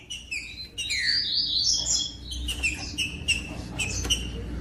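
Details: Green-winged saltator singing, a recording meant to warm up and stimulate captive saltators: loud whistled notes with slurred, rising and falling phrases, some clipped chips in between, over a faint low background hum.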